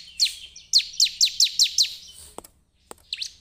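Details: Bar-winged prinia (ciblek) lure recording for attracting prinias: a quick series of seven sharp, high descending chirps, then a pause, a couple of clicks and a final chirped pair.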